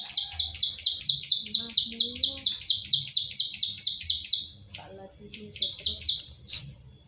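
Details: Pied bushchat, ciblek sawah, a kept bird from Central Java recorded on an Infinix Hot 9 Play as a training track: crisp high clicks twice a second for over four seconds, a pause with soft chatter, then a few more clicks.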